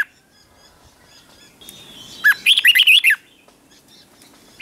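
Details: Red-whiskered bulbul in a morning ché-style training song. A single short burst of about eight quick, bubbly whistled notes stands out against faint background chirps and a steady thin tone.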